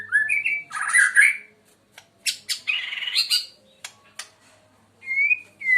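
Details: White-rumped shama, known as murai Medan, praised as very melodious and loud: whistled notes, a dense burst of warbling, then scratchy phrases and clear sliding whistles separated by short silences, indoors.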